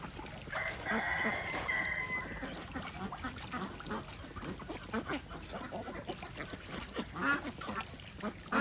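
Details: Desi ducks swimming in a pond on a small village farm in India; a harsh, nasal call rings out early, then fades into a busy, noisy background of splashing and movement.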